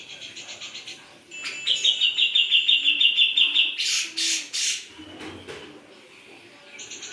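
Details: Grey-cheeked bulbul in energetic gacor song: faint chatter, then a bright rapid trill lasting about two seconds, followed by several harsh rasping bursts and a soft trill at the end.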